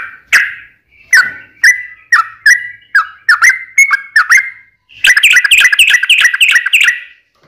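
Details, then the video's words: Yellow-vented bulbul singing a combative song with a long trill to provoke others: spaced, slurred notes that come closer together, then a fast, rolling chatter for over two seconds. "KICAU SUARA trucukan gacor TARUNG ROPEL PANJANG"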